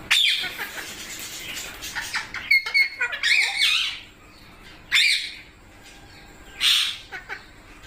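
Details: Young pet parrots in India give sparse, shrill squawks and high chirps in short clusters, separated by near-silent pauses, in a small room.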